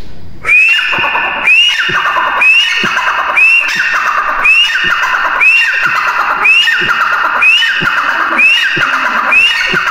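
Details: Teetar, the grey francolin, calling steadily: nine harsh, ringing phrases roughly one per second, each starting with a sharp upward sweep and falling into a rasping series, very regular rhythm, loud and close.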